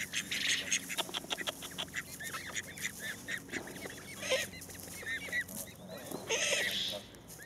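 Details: Call ducks kept as cherished household birds, giving a rapid, dense run of loud nasal quacks and honks. The calls overlap and repeat several times a second, with a louder burst near the end.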